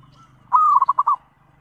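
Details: Lure call of a zebra dove meant to draw replies from other doves: a clear, level coo breaking into four bubbling pulsed notes over a steady low hum.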